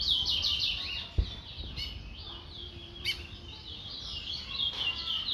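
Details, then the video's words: Guyanese towa towa, a chestnut-bellied seed finch, singing a high twittering run of quick slurred notes, strongest at the start and end, with a few clicks and faint background noise. "towa towa bird"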